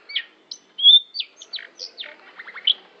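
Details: Long-tailed shrike singing a jumble of sharp, varied notes: high chips, a bright level whistle, downslurred squeaks and a quick descending series of rasping notes near the end.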